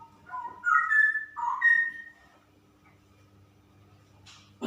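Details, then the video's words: Female straw-headed bulbul singing in the 'super ropel' style: loud, liquid whistled phrases that slur upward and step between notes, with a rich burbling middle, then a short pause and a faint buzzy note at the end. "Burung Cucak Rowo Betina Super Ropel"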